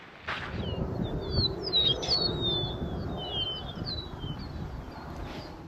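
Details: Several Eastern Meadowlarks in a field full of them on a gray, cloudy spring day overlap in clear, high, slurred whistled calls, many falling in pitch, about three a second, over a steady low rumble of wind.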